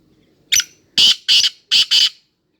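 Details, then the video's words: Black francolin (kala teetar) giving its call: a short harsh note followed by two pairs of loud, rasping, buzzy bursts spread over about a second and a half, then silence. "کالا تیتر کی اواز کالا تیتر کی مکس اوازیں"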